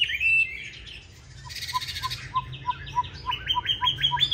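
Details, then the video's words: Singing Chinese hwamei, 'Lục Đậu' eye type, fighting song used for training: a long steady whistle, a buzzy burst, then a fast series of short repeated notes about ten in under three seconds. "Họa Mi Mắt Lục Đậu Thanh Hót Đấu ( Dùng luyện Mi hót bài êm không gắt )"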